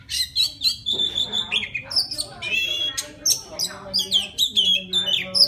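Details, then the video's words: Loud song from a wild white-rumped shama calling a female, with sustained pure whistles, rapid chips and buzzy flourishes in varied, tightly packed phrases, recorded close with a faint low hum. "Tiếng choè than rừng hót gọi mái"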